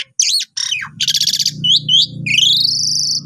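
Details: Asian pied starling song used as a lure and master track for training newly bought birds: varied loud whistles, rapid buzzy trills and a long rising whistled note, with a low hum underneath.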